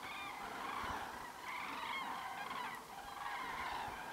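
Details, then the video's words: Common crane giving loud, honking trumpet calls with rich harmonic overtones, several overlapping notes swelling and fading in long waves, with a brief dip in between. "Grus grus - Common crane - რუხი წერო"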